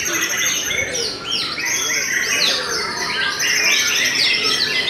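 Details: A Murai Batu Belanda white-rumped shama in unbroken song: quick, irregular chirps, about three or four a second, mixed with slurred whistles and buzzy trills in a dense, lively flow.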